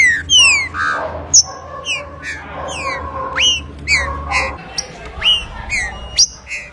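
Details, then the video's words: Rufous-bellied thrush song: a run of loud, clear whistled notes, many sharply falling or rising slurs in varied short phrases, with a steady low hum and a second fainter singer in the background. "ABRIR CANTO DE TRINCA FERRO"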